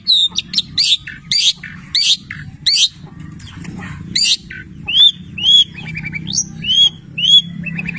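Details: Long-tailed shrike (cendet petir) singing with labet and canary mimicry: loud harsh chattering bursts at intervals, then clear rising-falling whistled notes and short rattles, over a steady low hum.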